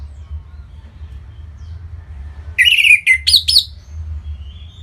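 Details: Orange-headed thrush (anis merah) from Bali, used to prompt other birds into singing: a short burst of loud, high slurred notes around the middle, then faint whistles and a low hum.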